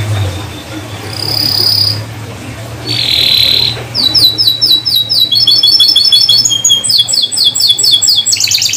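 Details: Atlantic canary song used to coax silent canaries back into song. Opens with soft buzzy tones, then from midway bursts into rapid high rolling trills and chopped whistled phrases, changing pattern quickly, with a faint low hum beneath.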